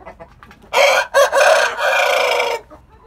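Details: Crowing from one of a group of coop-kept roosters: a loud, hoarse, broken crow of about two seconds with a brief gap after the first syllable, then a long strained closing phrase, with little background noise.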